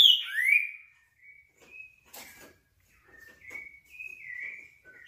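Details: Green-winged saltator giving a loud slurred whistle that falls then rises, followed by softer, drawn-out whistled notes and faint tapping and rustling in the background.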